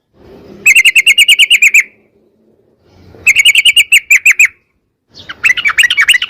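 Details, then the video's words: Sooty-headed bulbul in long rapid song used to prompt other bulbuls to answer; three bursts of evenly repeated sharp notes, around ten per second, each burst lasting about a second, separated by quiet pauses. "trucukan gacor ROPEL PANJANG buat pancingan trucukan agar bunyi jadikan burung trucuk gacor NYAUT"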